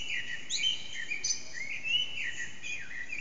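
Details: Early morning Eurasian blackbird song at about 4:30am, backyard echo loud, phone-recorded on an HTC Desire, bird not visible: a short run of rich, warbling whistles with a quick high sliding note.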